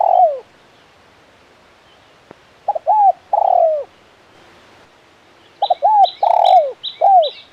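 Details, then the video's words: Spotted dove, or tekukur, in 'kuk 1' style: coo phrases of short doubled notes, arched and long buzzy coos separated by a silent gap, while high thin chirps from another bird sound near the end. "Suara Burung Tekukur Gacor KUK 1 Mersik"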